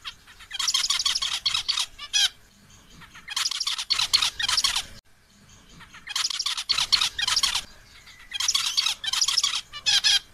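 A male zebra finch gives bursts of nasal, buzzy, rapidly repeated notes to call a female.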